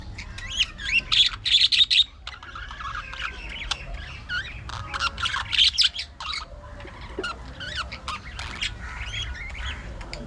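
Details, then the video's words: Budgerigars kept as pets, playing, grooming and fighting, pour out warbled chatter: twisting whistled notes mixed with scratchy squawks, loud clusters alternating with softer rambling phrases, over a low steady hum. "Budgies Unfiltered! Love, Fights, Fun & Chatter All Day Long"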